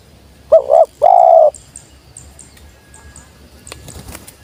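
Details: Wild spotted dove coming down, with one sweet 'jergot' phrase: a quick wavering note then a held low coo, followed by faint high chirps from other birds.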